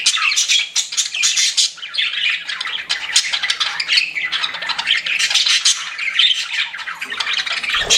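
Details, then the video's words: Captive budgies keep up a lively, high warbling chatter of clicks, squeaky whistles and harsh squawks, pouring out almost without a break. "CUTE PET BUDGIES CHIRPING"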